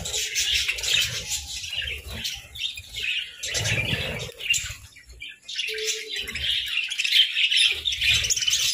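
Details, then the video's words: Several budgerigars eating grass and nutrient-rich moringa in winter keep up busy high chirping and warbling, dipping quieter mid-clip before swelling again, with low crunching bursts and a brief steady tone between them. "Budgie Serenade Amidst Moringa Munchies!"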